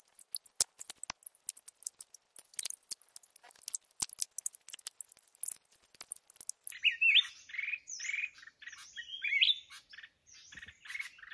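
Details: Red-whiskered bulbul during trapping with a decoy bird: about six seconds of dense clicking and tapping, then loud warbled, slurred notes in short bursts.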